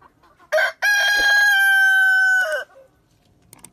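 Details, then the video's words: Rooster crowing: a short opening note, then a long, loud, level harmonic crow held for nearly two seconds, ending with a falling tail. Quiet background. "Rooster Crowing Compilation 2023 || Natural Rooster Crowing Sound Effects"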